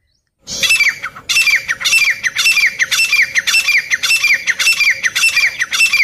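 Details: Grey francolin, known locally as teetar, begins abruptly after a short silence and then gives loud, harsh, squawking calls in a rapid rhythmic sequence of roughly two per second.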